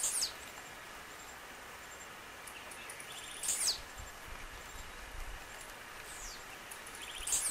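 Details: Wild blue-black grassquit (tiziu) singing in nature: short, high, buzzy downward-sweeping notes about every three and a half seconds over a steady hiss of insects.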